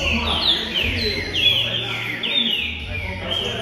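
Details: Green-winged saltator song meant to warm up a pet bird: about four strong, clear whistled phrases, each falling in pitch, roughly one per second, over a low hum.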